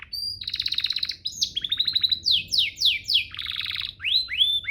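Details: Canary training master song: a high whistle, buzzy trills, sweeping falling phrases in quick succession, another low buzzy roll and rising whistled slurs.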